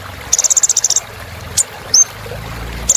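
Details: Kolibri ninja song for encouraging birds: a quick rattling series of about ten high chips, then a lone tick and one thin falling whistle, with a low hum underneath.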